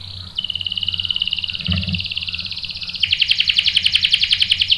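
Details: A canary delivers a long rolling song, played as bait so a male will answer: a steady buzzy trill that jumps to a higher, louder, rapidly pulsing roll for the final seconds, with a faint low thump midway.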